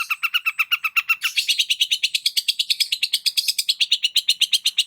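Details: Singing long-tailed shrike used as a trigger for stressed birds: a fast, even rattling trill of about ten notes per second, shifting after a second to a higher, brighter pitch and continuing without pause.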